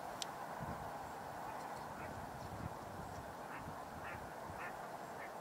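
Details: A couple of unseen female mallards give harsh nasal quacks about half a second apart on a lake among northern pintails and green-winged teal, with pintail calls also present, over a low rumble and a faint voice.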